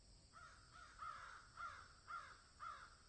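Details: Crows cawing in a field: a series of five hoarse, nasal caws repeated about every half second with even spacing, each slightly falling at the end, over a constant background hiss.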